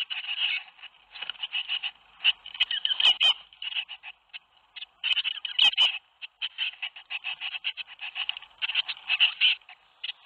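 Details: A brood of tits in a nest box at Théding, 21 May 2019, around the time seven chicks left the nest. Continuous rasping, churring chatter pulses almost nonstop for ten seconds, with occasional sharp knocks in between.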